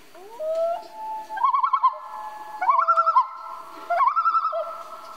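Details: A common loon at night starts with a rising wail and steady tones, then gives three looping, undulating phrases that each step up and waver, repeating every one to two seconds.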